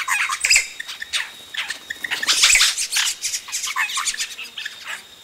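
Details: Chicks of yellow-rumped cacique call from the nest while adults arrive, close up; dense overlapping chirps and squawky notes pour out almost without pause, loudest in the middle, over soft outdoor background.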